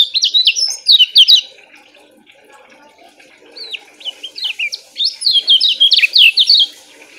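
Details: Lemon-bellied white-eye (Zosterops chloris) sings two bursts of quick, high, twittering notes, each one to three seconds with a quiet pause between; the song is fast and tightly packed but short, with fairly loud, steady volume, used as a tutor recording for lazy-singing birds.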